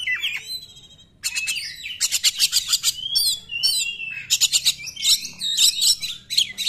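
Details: Oriental magpie-robin 'nembak' song, played to provoke reluctant magpie-robins into singing. A short whistle, a pause of about a second, then a long stream of fast rattling bursts mixed with clear sliding whistles.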